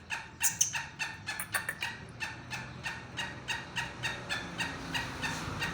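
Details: Kala tetar, the black francolin, uttering a long string of grating, clucking notes at roughly three or four per second, less evenly timed, with a couple of brief high chirps near the start and steady background noise.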